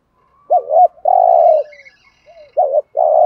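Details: Spotted dove kept as a decoy, calling to lure wild doves in the urging coo style. Two low, hoarse coo phrases, each a short rolling note followed by a longer steady coo, roughly a second and a half apart.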